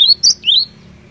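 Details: Cinereous tit in fighter-style song meant to make other tits answer at once: a sharp high note, then a rising slurred whistle, then a second rising whistle trailing off, in a quiet room.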